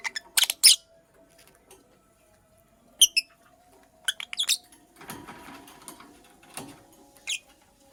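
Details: Purple lovebird hen at work on her nest, uttering clustered shrill chirps and squeaks in short groups, followed by soft scratching and rustling sounds.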